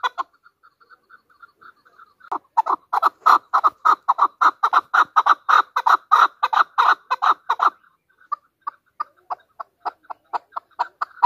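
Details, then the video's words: Soft, spaced clucks from a Pakistani hunter chukar partridge erupt into a long, loud, fast chattering series, then drop back to evenly spaced single chuck notes. "chakor ki awaz | Hunter chukar voices | Hunter Chukar sound"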